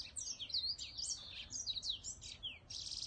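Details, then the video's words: Caged whitetip songbird delivering a fast, busy run of high chirps and slurred down-sweeping notes with almost no gaps, over light low background noise. "Giọng hót Whitetip"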